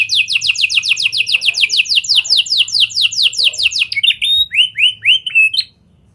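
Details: Canary singing in a lovebird and prenjak imitation style, used as a lure to get other canaries singing long. A rapid rattling run of downstrokes is followed by a few slower whistled swoops. Then it goes quiet.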